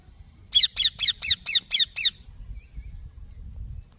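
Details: Green baby parrot chirping: a quick burst of seven harsh, raspy chirps over about one and a half seconds, then quiet with only a low background rumble.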